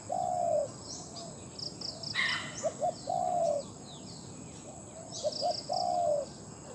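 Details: A decoy Spotted Dove held captive for trapping in Thailand, known for its big voice, repeats its call: a long sliding coo, then two short notes and another drawn coo. High twittering and a brief rustle come in between.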